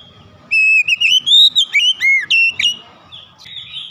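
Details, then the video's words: Oriental magpie-robin singing with beak wide open: a loud run of clear whistled notes rising and dipping in a quick series of about ten syllables, then a softer trailing phrase, low hum beneath. "sekali dengar Kacer langsung gacor ngeplong buka paruh dengan lebar"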